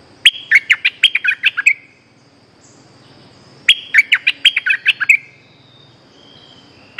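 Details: Streak-eared bulbul lure call for catching an escaped cage bird: two rapid, cheerful phrases of a dozen sharp chirps each, about three and a half seconds apart, with a faint high insect whine throughout.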